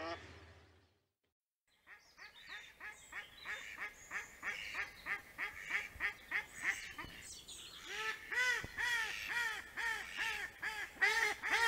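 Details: Mallards at Liepāja, Latvia, in September 2024 give a long run of nasal, harmonic quacks, about two or three a second, growing louder and busier toward the end.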